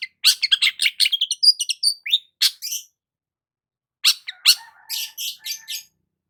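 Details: A long-tailed shrike basking in the morning gives a dense chattering medley of high chips and short whistles, a two-second pause, then a rougher, scratchier burst fading out.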